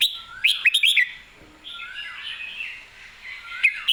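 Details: Red-whiskered bulbul, excited and singing clearly: loud bright whistled notes in a quick burst, then softer warbling phrases with a rising slur, ending in a sharp note. Other quieter birds chatter behind it.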